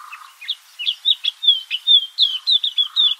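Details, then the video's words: Cape white-eye in a garden in the Kruger area gives a quick run of high, thin, slurred chirps and short warbled notes, about three per second, with faint low background hum. "Cape White-eye Bird Call"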